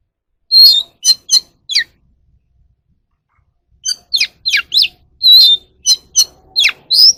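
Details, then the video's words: Oriental magpie-robin, a caged bird in voice training, gives loud high whistled song: a short run of sharp downslurred notes, a brief pause, then a longer varied sequence of chips, slurs and sustained whistles. "kacer alam | choè than luyện giọng || Choè than kích bổi ra giọng เสียงนกกางเขนบ้าน"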